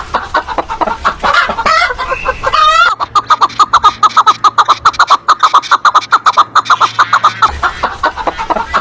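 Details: Hens feeding among geese, ducks and other farmyard birds: a rapid, fairly even run of short clucking notes after a few seconds of louder, mixed squawking.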